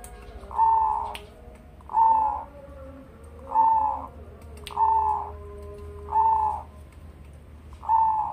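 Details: Tame caged zebra dove of the crossing type, Bangkok crossed with local Indonesian stock, two years old, with a deep bassy voice: six rounded coo phrases repeated roughly every 1.4 seconds, with a low background drone and faint clicks.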